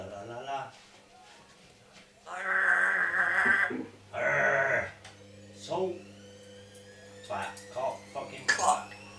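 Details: Pet African grey parrot (Psittacus erithacus) indoors, mimicking human speech and swearing in short voice-like bursts with a few croaky, bleating notes, over a steady low electrical hum.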